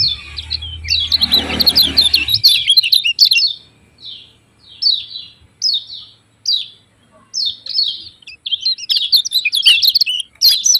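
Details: Yellow-vented bulbul, locally called kecial kuning, giving sharp 'ciak ciak' chirps: bursts of downward-slurred high notes, then separate chirps roughly every second, with a brief low rumble at the start.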